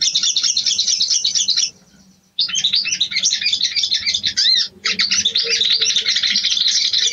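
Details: Sooty-headed bulbul female calling a male during breeding arousal: fast, packed chattering bursts of high twitters, broken by one clear silent gap and a short pause, then resuming at full intensity.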